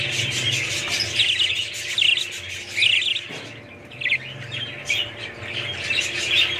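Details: Budgerigars giving scattered squawky chirps and short warbles at an uneven pace, roughly one call every second, over a low hum and light background twitter.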